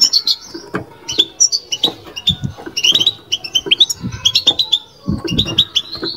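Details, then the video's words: European goldfinch kept in a cage, singing batbata: rapid tinkling high notes in clustered phrases with brief pauses, plus dull low thuds in the background. "بتبتة لو مغناش معها"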